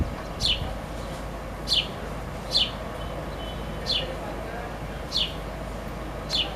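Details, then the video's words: Young sparrow begging for its mother: six thin, high, downslurred chirps about a second apart over a low steady hum of background noise. "Baby Sparrow Chirping"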